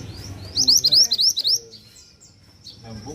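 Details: A Mantenan pours out a fast series of around seven high upward-sweeping whistles, followed by a thin drawn-out high note and faint chirps.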